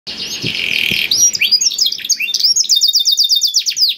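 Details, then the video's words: Black-throated canary song, a training recording meant to stimulate other canaries to sing: a long buzzy harsh phrase, then rapid high downslurred notes and quick trilled repeats. "KENARI ISIAN BLACKTHROAT #181 || VOICE OF CANARY"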